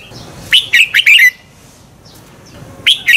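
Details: One lively phrase of quick, slurred whistles from a red-whiskered bulbul singing its double-twist morning song, used to rouse birds to competitive singing, followed by a pause and the start of the next phrase.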